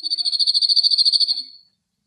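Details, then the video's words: A male cirl bunting singing on a rock in Greek nature on a cloudy, windy day delivers a flat, dry rattle of about twenty quick, identical high notes over a second and a half, then stops. "Male Cirl Bunting Bird Singing"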